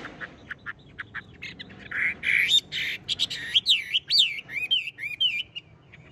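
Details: Tame caged Chinese hwamei in full song, still singing while its cage is shaken: harsh buzzy chatter first, then loud, slurred, looping whistles rising and falling in quick succession, with faint music behind.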